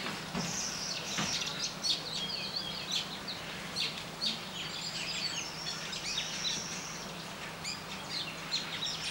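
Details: Brown babblers at Nianing, Senegal: several birds chatter in a busy, overlapping stream of harsh, squeaky notes without pause, over a low steady hum.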